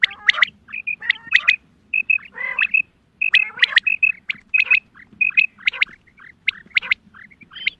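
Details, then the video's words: Female quail call used by hunters: a busy run of sharp clicks, short level whistles and falling chirps, with a harsh rasping burst around two and a half seconds and a brief pause before three seconds. "Batair ki awaz Quail sounds Садои бедона мода bedana ovozi بٹیروں کی سپیشل شکاری آواز"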